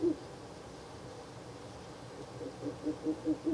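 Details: Ural owl at a nest box at night on 16 April 2024, giving a single low hoot, then a quick run of short, soft, low hoots about five a second, over a faint steady night hum.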